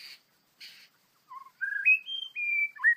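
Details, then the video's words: A white-rumped shama, described as an angry bird being trapped in the wild, gives two short harsh rasps, then clear fluty whistles climbing in steps to a high held note, ending in a looping slurred phrase. "Birds White-rumped shama: Trapping A Angry Bird, Birdsong Chirping In The Wild"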